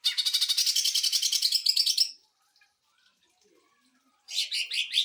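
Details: Fast trilled greater green leafbird song, a sewing-machine style rattle meant to train and rouse other birds, about two seconds of quick repeated notes, silence, then another burst.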